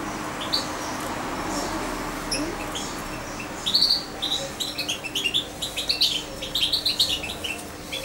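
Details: Young captive European goldfinch, almost two months old and hand-fed by syringe, kept close to its keeper. After near quiet, a lively run of high, tinkling twitters and short chirps fills the second half, over a low steady room hum.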